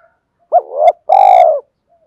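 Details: Decoy spotted dove cooing in the gọi and thúc styles used to lure wild doves: one loud low two-part phrase, a short hooting note, then a longer sustained, slightly falling coo, with silence after.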